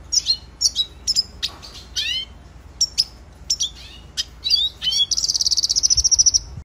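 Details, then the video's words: A red siskin (Spinus cucullatus) sings a bright, high twittering training song of quick chirps and sliding notes, ending in a fast buzzy trill; no other sounds stand out. "Red Siskin Singing Training Song - Canto Pintassilgo venezuelano"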